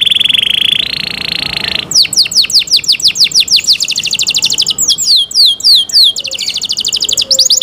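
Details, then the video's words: Canary singing a cenkok-style song: a steady high buzzing trill for nearly two seconds, then a fast run of sharp downslurred whistled notes that turns into quick rolling trills, loud and clear. "LUXURY CENKOK CANARI SOUND, CLEAR SOUND"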